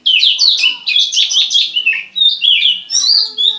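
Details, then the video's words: Somersaulting Oriental magpie-robin singing like a bar-winged prinia: loud, rapid sequences of sharp, high, zigzagging chirps, nearly unbroken, ending in thinner whistled notes. "Burung kacer salto rasa ciblek ancur arutt"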